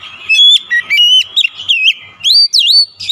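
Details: An agitated, highly excited Oriental magpie-robin pours out its full song repertoire. Clear varied whistles rise and fall, mixed with swooping notes and quick upslurred phrases.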